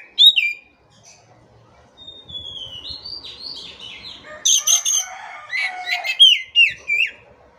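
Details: Oriental magpie-robin singing energetically: a sharp opening whistle, a long gliding note sliding downward, then dense clusters of high clicks, chattering and warbled slurs, ending in quick upward-flicked whistles.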